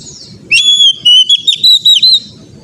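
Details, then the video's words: Oriental magpie-robin song played to train untrained birds: one bright whistled phrase, a long steady note followed by quick rising and falling whistles, over a low background rumble. "TERAPI KACER BAHAN AGAR CEPAT GACOR NGEPLONG"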